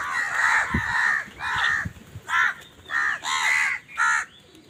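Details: Crows fighting for food, giving loud, harsh caws in a series of about six drawn-out, arching calls spaced roughly every half-second to second, with faint background noise.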